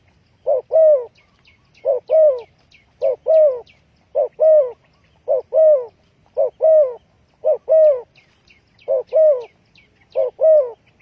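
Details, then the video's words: Spotted dove calling, used as a lure in trapping: evenly spaced pairs of deep coos, a brief note then a longer descending croon, repeated roughly every 1.2 seconds over a quiet background with faint high chirps. "Chim cu gáy chiêu kích mồi tập bổi nhanh nổi hiệu quả"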